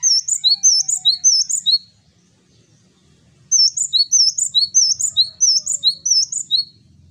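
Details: Male Java sparrow singing actively: two bouts of bright, high, ringing chirps in quick succession, roughly twelve notes each, with a pause of about a second and a half between bouts.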